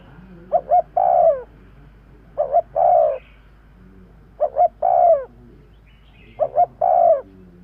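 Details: Lure call of a spotted dove: four regular phrases, each two short coos and then a longer falling coo, about two seconds apart, clear against low background noise.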